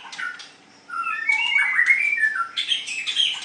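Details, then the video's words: Murai batu, the white-rumped shama, in a song contest: continuous warbled whistles and harsh scratchy notes run together with little pause. "Cara Mengadu kekuatan Ocehan Burung Murai batu white rumped shama"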